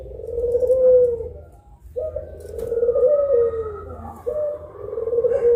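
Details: Two collared doves of the pelung style at midday, cooing long drawn, slightly falling notes, one beginning about every two seconds, with a soft higher tone in the background.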